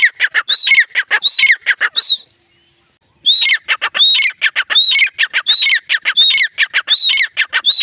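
Grey francolin giving loud, harsh, ringing phrases: clusters of scratchy notes each ending in a clear rising-falling whistle, repeated rapidly after a one-second pause.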